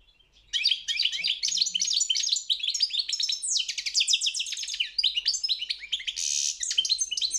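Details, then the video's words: European goldfinch performing in a world championship song contest, delivering an unbroken stream of fast tinkling twitters, trills and buzzy notes for nearly seven seconds after a brief quiet start. "Pesma štiglića 009/23 World Championship in Goldfinch Song"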